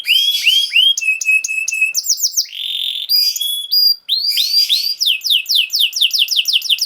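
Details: Canary song for training young canaries to sing: rapid varied phrases of rising and falling whistled sweeps, sharp chips and a sustained trill, with brief pauses between tours.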